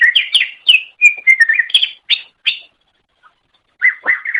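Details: Cucak ijo (green leafbird) in a long master recording meant for training songbirds: quick bursts of varied whistled and chirping notes, several per second, then a pause of about a second before a short buzzy phrase resumes.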